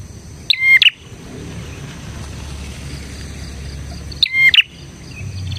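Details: Bar-winged prinia singing briskly, a recording meant to lure and tutor prinias: two sharp, emphatic double-note bursts about four seconds apart, with quiet background noise and a faint high drone between them.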